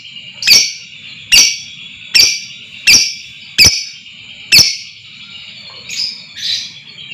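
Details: Lovebird calls played to provoke other lovebirds into long trilling (ngekek) and lively singing: six sharp, harsh chirps spaced under a second apart, then two softer buzzy notes, over a steady high whine and faint low hum.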